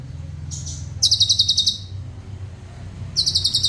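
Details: Black-crested bulbul kept as a vocal tutor for cage birds: a faint high note, then a fast, tightly packed trill of about ten notes, a pause, and another trill starting; a low hum lies beneath.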